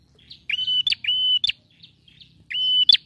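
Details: Male bar-winged prinia singing steadily to stir a silent bird: quick run of even whistled notes punctuated by sharp clicks, soft chips between, with a faint low hum beneath.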